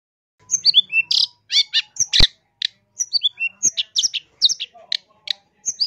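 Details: Long-tailed shrike song in a rich, varied style used to train caged birds and lure others: rapid sequence of sharp whistles, chirps, buzzy trills and descending notes, with one sudden loud click, otherwise clean background.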